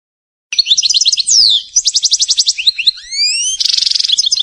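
A European goldfinch sings a fast, bright medley of tinkling twitters, rapid trills, slurred rising whistles and a buzzy rattle, all high-pitched and lively.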